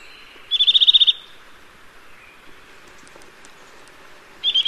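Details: Two quick trills from a Eurasian nuthatch, the first a run of about nine sharp high whistled notes, the second beginning near the end, with soft faint chips in between.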